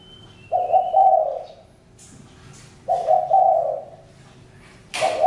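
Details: Repeated low cooing of a spotted dove, phrases about two and a half seconds apart, each rising slightly then rolling; a thin high whistle at the start and a sharp rustle or clap near the end.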